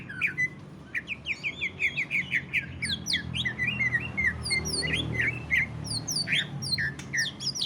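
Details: Greater green leafbird singing in the ngentrok style, used to provoke other leafbirds into singing: a busy stream of quick chirps, short slurred whistles and sharp squeaky notes, varied and almost unbroken, over a steady low background hum.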